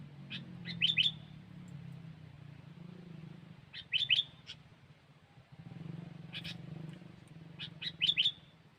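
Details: Kutilang (sooty-headed bulbul) lure recording, cengkeram song: quick clusters of bright, sharp whistled notes repeated every few seconds, with a rumbling low background noise between phrases.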